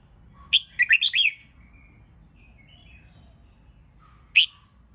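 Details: Red-whiskered bulbul singing in a recording used to train birds for singing competitions: one sharp high whistled note, then a quick rising and falling phrase of four slurred notes, a long pause, and one more sharp note.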